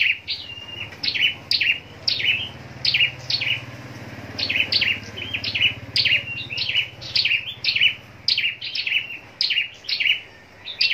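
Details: A caged scarlet-backed flowerpecker used in singing contests repeats sharp, very high ticking and twittering phrases in steady succession, while a low engine-like rumble runs in the background.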